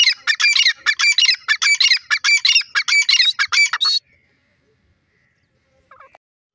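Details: Grey francolin calling: a rhythmic run of loud, harsh, ringing notes repeated rapidly for about four seconds, then quiet with a faint short note near the end.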